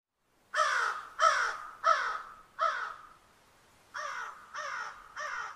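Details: Crow cawing: seven harsh, hoarse caws, the first four evenly spaced about two thirds of a second apart, a short pause, then three slightly softer caws, with a quiet background.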